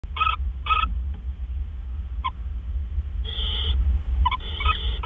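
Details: Owl at a nest, recorded on April 12, 2013 at 4:03 AM while a male delivers food: short, raspy, hissing bursts, two close together, then longer grating screeches near the end, over a low steady hum.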